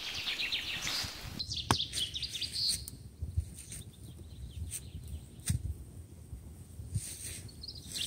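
Small birds sing faint, high chirps and trills, clearest in the first three seconds, over a crackling fire with sharp pops and low rumble.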